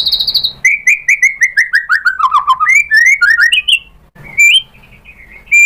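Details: White-rumped shama song as a lure to provoke a rival bird: a high rattle, then a long sequence of evenly spaced whistled slurs stepping gradually lower, a pause, and a few final rising whistles.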